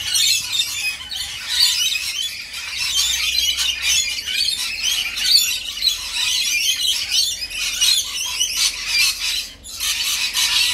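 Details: A crowd of rainbow lorikeets at feeding time, keeping up a steady din of piercing squawks, squeals and scratchy chatter with no clear gaps.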